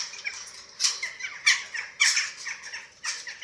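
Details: Eurasian eagle-owls at a nest webcam in Germany on 27 March 2024, during feeding at the nest: harsh, raspy hissing bursts of about half a second each, four loud bursts over a few seconds, with faint rustling between them.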